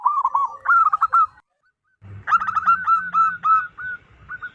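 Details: Loud local wild zebra dove, used to lure others of its kind: a fast rolling string of coos, a brief silence, then a longer run of clipped, slightly rising notes with faint low rumbling behind.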